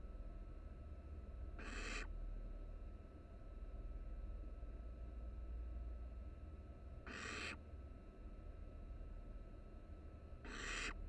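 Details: Barn owl chicks, three nestlings huddled for warmth in a University of Florida nest box under a live camera; three broad, rough snoring hisses separated by long irregular gaps, steady background hum throughout.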